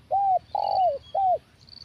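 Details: Spotted dove with a big 'kuk satu' voice at a decoy trapping session: three hooded coos, the middle one longest and sliding down, with a faint high insect tone behind.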